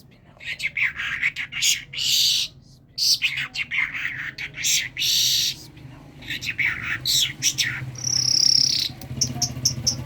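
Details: Rapid run of rasping, chattering phrases from a talking common myna of Kerman, ending with a clear high whistle and a string of quick ticks.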